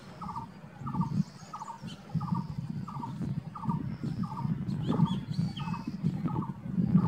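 A coppersmith barbet gives a steady series of hollow, metallic 'tuk' notes, about two per second, over a low background rumble and faint chirps from other birds.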